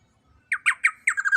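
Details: Young black-naped oriole, large and loud, used as a training recording for birds, utters a short string of harsh, nasal, grating squawks, the last ones bunched closely together.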